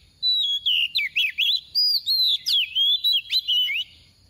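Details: Oriental magpie-robin, a soft decoy bird, singing the 'tìu tíu tiu' song meant to excite other magpie-robins into singing: an unbroken string of about twelve sharp, high whistles with rising and falling slurs.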